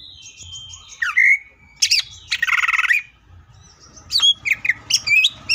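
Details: Cucak ijo, the greater green leafbird, in 'full tembakan' song: a thin descending whistle, then loud buzzy warbled phrases and a rapid chattering run, ending in quick sharp chips.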